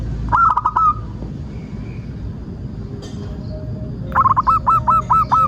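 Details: Local zebra dove singing for use as a lure and tutor for other doves: a brief rolling phrase of coos, a quiet gap, then a longer string of evenly spaced soft coos with a faint fainter note beneath.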